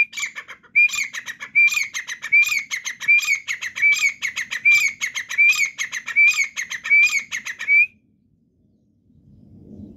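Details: Partridge, locally called teetar, calling: a loud, harsh, ringing phrase repeated steadily about ten times over eight seconds, each note rising at its end, then the calling stops and a low rumble of background noise remains.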